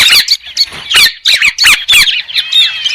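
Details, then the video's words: White-crested laughingthrush recorded without background noise, giving loud rapid chattering bursts with squeaky whistled notes, then a run of clearer rising and falling whistles near the end. "TIẾNG CHIM HÉC SOAN-CHIM ĐẦU TRẮNG KHÔNG TẠP ÂM"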